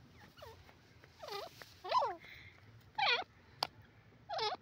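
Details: Yellow francolin, locally called teetar, giving loud harsh calls in separate bursts about one second apart, each made of stacked descending notes, over low background hiss with a sharp click near the end.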